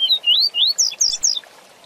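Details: Fast 'tui tui zel zel' song of a rusty-collared seedeater, meant for tutoring young birds: rising whistled slurs followed by quick, higher downslurred notes, ending abruptly.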